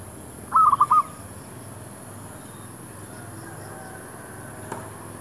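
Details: Zebra dove near a shop area, lured with a decoy bird: a single short burst of three or four clipped, pulsed notes around mid pitch, then quiet background hiss.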